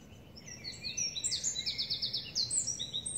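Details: At the Parc de la Poudrerie, France (93), on 23 May 2019, a Eurasian wren pours out a loud, very high, rapid stream of sharp notes with a fast rattling trill in the middle, over a faint low background rumble.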